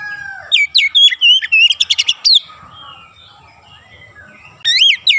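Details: Oriental magpie-robin singing in a fast 'ngerol' and 'nembak' style. A rapid burst of about ten loud, slurred whistles rises and falls, then comes a quiet pause and a second sharp phrase near the end.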